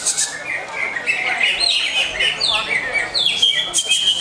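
Greater green leafbird singing a fast, unbroken run of bright whistles, chirps and slurred rising and falling notes, with high, thin twitters mixed in.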